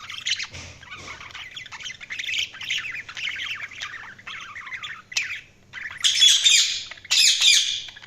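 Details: Budgerigars chirping in fast, scratchy warbling phrases, roughly one a second, ending in two louder buzzy bursts.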